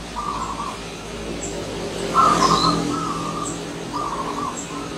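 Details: Wild zebra dove paying a visit, its soft trilling coo phrases partly masked by steady background rumble and a brief louder noise, with distant high chirps.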